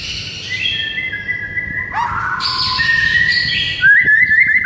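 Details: White-rumped shama morning tutor song meant to stir a silent bird to sing: long sustained whistled tones, a brief downward slur, then a rising bright whistle near the end over low hum.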